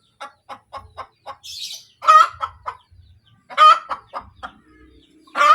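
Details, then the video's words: A hen's cackle after laying an egg starts with five evenly spaced short clucks, then two loud rasping squawks each trailed by clucks, with a burst of high chirping between. "SUARA AYAM SETELAH BERTELUR | AYAM BERKOTEK | AYAM BETINA BERTELUR"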